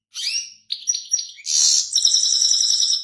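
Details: European goldfinch in full song: a quick run of high chirps flowing into a harsh, wheezy buzz, then a sustained metallic rattling trill held to the end.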